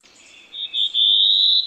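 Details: Black-throated blue warbler (Setophaga caerulescens) singing its lazy, buzzy song, remembered as "I am lazy": a few high, husky notes that drawl upward at the end, with no other sounds.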